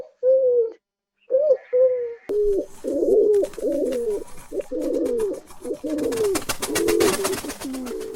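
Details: Pigeons in a feeding flock giving low, rolling group-call coos. A few clear separate coos open the clip, then many overlapping coos come in a busy, continuous chorus with flapping and scuffling noises.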